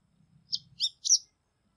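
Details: Bengal bush lark calling: three short, high chirped notes in quick succession, the last one longest and loudest, against a quiet background.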